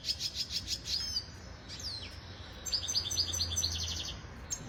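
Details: Venezuelan red siskin training song: a quick series of high trilled notes, a slurred downward whistle, then a stuttering run of sharp repeated chirps, with a faint low hum beneath.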